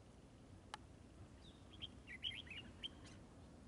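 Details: Red-whiskered bulbul at a trap, fluffing and displaying nonstop while a burst of rapid, bright whistled and warbling notes runs for about a second, preceded by a sharp click.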